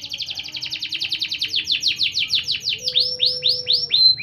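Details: Canary singing a powerful training song: a fast rolling trill of downslurred notes that gradually slows into separate looping whistled sweeps, ending on a sharp high note, with a faint steady tone beneath.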